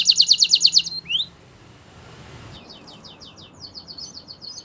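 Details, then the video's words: Belgian canary song meant for training young canaries: a short, rapid, high trill and a rising slur, then quiet, then fainter repeated trilled notes. "Canary Singing Training !! Belgian Canary"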